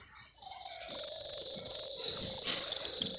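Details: Russian canary from a breeder in Miami, Florida, in a training recording holds one long, steady, pure whistled note that does not change in pitch, sustained for about three seconds without a break.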